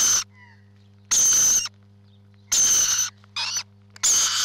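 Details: Nesting rainbow lorikeets give loud, shrill, rasping screeches roughly every second, with a shorter scratchy note between them and a faint hum behind.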